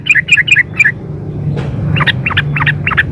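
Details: Female sooty-headed bulbul calling to the male: four loud, bright two-part chirps in quick succession, a short gap, then five softer, huskier chirps, with low-pitched background noise throughout.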